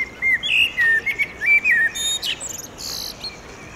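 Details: Male common blackbird singing at sunset by a pedestrian bridge over a railway in urban Oradea, establishing a territory: mellow fluted phrases with quick warbled slurs, then thin high twittering notes and a short buzzy flourish near the end.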